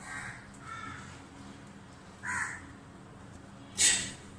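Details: In Dhaka, Bangladesh, a group of crows mobbing a barn owl dazzled by sunlight at a house gives four harsh, hoarse caws at uneven intervals. The last caw is loudest and most grating, over a faint steady hum.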